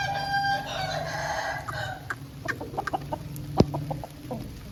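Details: Aseel rooster after rain, a rich, harmonic crow that opens the recording and fades out over about two seconds, followed by scattered sharp clicks and clucks against a low rumble.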